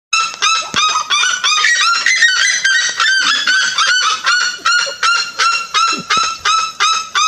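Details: A Red-legged Seriema in Brazil, 2016, gives a loud, ringing series of harsh yelps, about three each second, steady and insistent like a barking puppy, with nothing else clearly heard.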